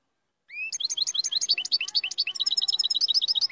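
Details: Moroccan royal goldfinch in full song: a fast, dense stream of bright, liquid twitters and trills. It opens with two clear rising whistles and keeps a steady chattering rhythm to the end.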